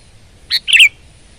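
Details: Sooty-headed bulbul singing full power in a lively gacor style: two quick bright phrases, a short burst then a longer bubbling, warbled phrase with a falling slur, in quiet surroundings.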